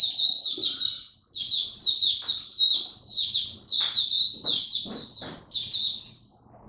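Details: Oriental white-eye kept in a cage, singing in open buka style on day one of a supplement trial: nearly unbroken high rapid warbling twitters, loud and close, with a few soft knocks and light hum behind.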